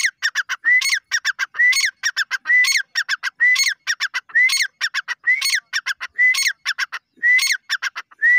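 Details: Steady, far-carrying grey francolin calling: a rising whistled upslur, then a string of scratchy, rapid notes, cycling regularly about once per second with no other clear sounds.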